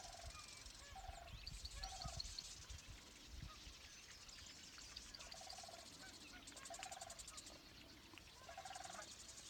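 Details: Distant sandhill cranes (Antigone canadensis) at the Summer Lake Wildlife Management Area marsh, Oregon, give rolling, trumpeting calls in short bursts every second or two. Insect and bird chatter hisses behind, with low wind rumble.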